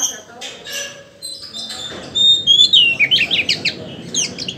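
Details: Oriental magpie-robin, a kept bird, singing: after a quiet, muffled start, a run of sharp whistled and chattering notes, rising and falling quickly, delivered in rapid bursts over low background noise.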